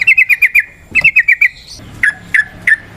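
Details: Lure recording of the Indonesian yellow-vented bulbul: two quick rolling runs of five or six bright chirps, then three slower, well-spaced liquid notes.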